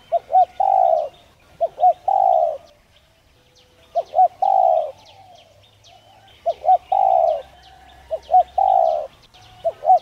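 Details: Spotted dove cooing steadily to urge other doves to coo. About five phrases, each a double short note and a sustained low coo, with a brief pause midway. Thin bird chirps in the background.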